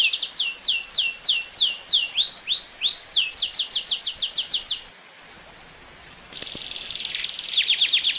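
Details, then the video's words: Belgian canary singing: a series of sharp downward-sweeping whistled notes repeated about three per second, a few rounded arching notes, a faster run of sweeps, a pause, then a sustained high rattling trill. "Canto Do Canário Belga"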